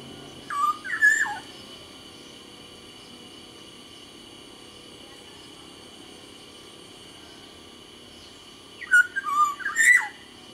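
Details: Black-naped oriole, kepodang sumbawa, a caged songbird: two bursts of liquid, fluty whistled phrases with sharp upward and downward slurs, separated by about seven seconds of quiet with a steady background hum.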